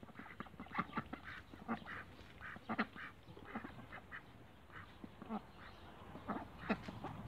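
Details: Cayuga ducks in a backyard, scattered nasal quacks and softer chatter spread through the recording, some louder single calls standing out over a low noisy background.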